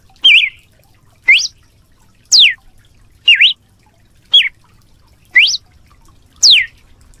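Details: Singing red-cowled cardinal, 'canto de açoite' style, giving seven clean whistled notes at a steady pace of about one per second, mixing wavy, rising and sharply falling shapes; faint low background rumble.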